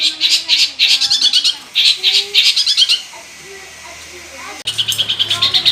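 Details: Singing Long-tailed shrike, full of borrowed phrases, used as a lure to make other shrikes call: dense bursts of high chattering and rattling notes, a quiet gap of about a second and a half, then renewed rapid chatter.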